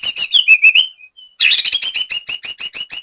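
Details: White-rumped shama kept as a trained songbird in Banyumas, Central Java: quick bright repeated notes, a brief pause, then a fast chattering series of paired high notes.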